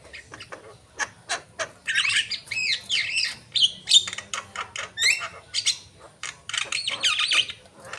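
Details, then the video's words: Javan myna in vigorous song: clicks and harsh squawks mixed with wavering, slurred whistles, delivered in irregular bursts. "jalak kebo gacor"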